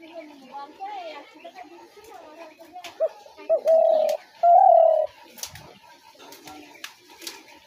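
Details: Spotted dove, recorded as a lure for trapping doves. After soft background murmur, a single cooing phrase builds from short hiccup notes into two sustained mellow croons.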